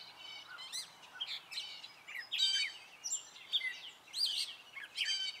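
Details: Spring singing by a male Gray catbird: separate bursts of scratchy, stacked chatter and squeaky downslurred notes, roughly one phrase every half second, in a quiet setting.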